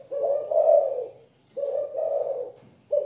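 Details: Thổ-style cooing from a young Malaysian spotted dove hen: a drawn-out, soft, hoarse coo, a pause, then another two-part coo and the start of a third note.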